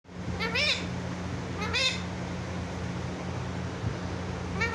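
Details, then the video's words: Pet parrot talking, said to call out "mummy mummy" in a clear voice; three short harmonic, wavering cries spaced about a second apart, over a steady low electrical hum indoors. "mummy mummy|| mithu ko || parrot talking|| clear voice"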